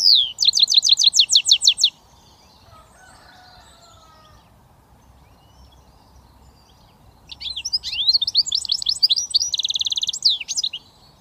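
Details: Hybrid goldfinch mule, British finch, in switty song: a fast burst of repeated chirps for two seconds, a long quiet gap, then rising sweeps and a buzzy rattling trill.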